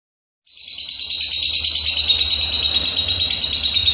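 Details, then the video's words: Lovebird delivering a long, unbroken chattering song after a brief silence: dense, shrill, rapidly repeated notes about three per second, steady and high-pitched throughout, with faint low hum beneath. "LOVE BIRD JULEHA Rem BLONG"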